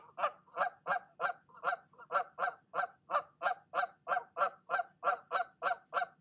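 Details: Mother goose still scolding the other goose after it left her nest; a long, steady run of loud, harsh honks, about seventeen calls at roughly three per second.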